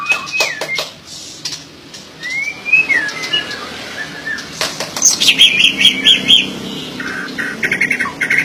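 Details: White-rumped shama singing varied whistles, some rising and some falling, followed by a rapid series of high, bright notes and brief chattering, with clicks and faint background noise.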